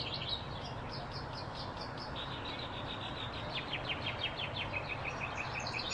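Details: In Arizona, a blue-throated flycatcher is heard in the field giving a fast, rhythmic series of sharp high chipping notes, repeated steadily through six seconds against low background noise.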